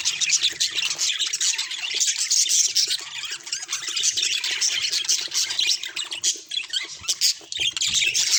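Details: Budgerigars chattering nonstop: rapid, buzzy, high-pitched warbles and clicks overlap in a busy, unbroken chorus with no clear pauses.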